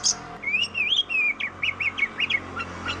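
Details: Oriental magpie-robin, known in Indonesia as kacer, a fighting and songbird of plantations, forests, rice fields and grassland; melodious song of wavering whistled phrases followed by a rapid series of short sharp rising notes, with a brief high squeak at the start.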